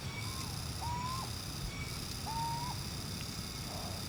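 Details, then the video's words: Philippine Scops-Owl, a Philippine endemic recorded on Luzon or the Visayas, gives short, mid-pitched whistled notes that dip at the end, about every one and a half seconds, over steady insect hum and low rumble. "Philippine Scops-Owl"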